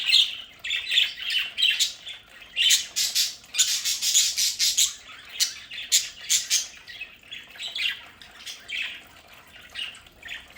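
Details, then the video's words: Home-kept budgerigars in a play area chatter busily. Dense runs of scratchy squawks and twittering notes overlap in fast bursts, building in the middle and then thinning out. "Sonidos de budgies para Budgies en casa"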